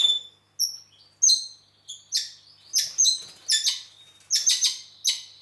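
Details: Red-rumped parakeet singing in Heraklion, Crete: a sequence of sharp, high whistles and short sliding notes mixed with harsher chips, given in quick uneven bursts about every half second, with a quiet background.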